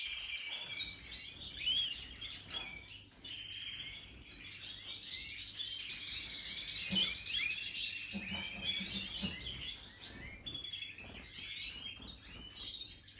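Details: European goldfinch in 2023 singing its Major song: a long, rambling, high twittering phrase of rapid chirps, buzzes and tinkling notes, with a few short dips, and faint low thumps and room noise beneath.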